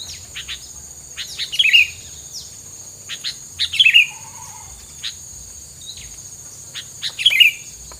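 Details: Bird song used as isian filler material, said to keep rival birds away, advised not to play at full volume; short bright chirping bursts with twittering flourishes every two seconds over a steady high insect drone.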